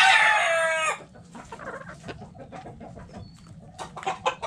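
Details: Rooster crowing in a backyard chicken coop, a loud raspy crow ending abruptly after a second, followed by a run of short, quick hen clucks and murmurs.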